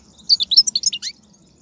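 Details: Wild European goldfinch song from 2019, used to stir a caged goldfinch into singing: a quick burst of bright, twittering, high notes and short slurred chirps lasting under a second, over a faint low hum.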